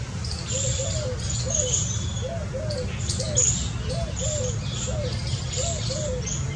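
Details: Indian scops owl family: short, soft, low hooting notes, often in pairs, come roughly every second, with high insect-like hissing above and a low rumble beneath.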